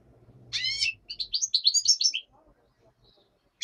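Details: Daytime singing of a black-headed goldfinch with a nightingale said to sing behind it; a harmonic rising note opens a rapid run of high, liquid twittering notes lasting under two seconds over a low background hum.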